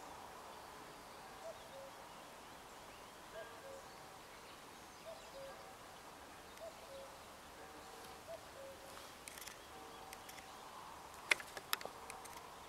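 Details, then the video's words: In spring, a distant common cuckoo gives its soft, low two-note 'cu-coo', falling in pitch and repeated every second or two, over faint background hiss and a few clicks. "Chant du Coucou gris"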